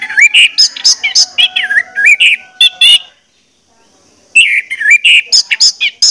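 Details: Lure song of an orange-headed thrush, meant to spur birds into full song: rich, rapidly varied whistled phrases with wavering, rolling notes and quick chips, a pause of about a second, then another fluent run.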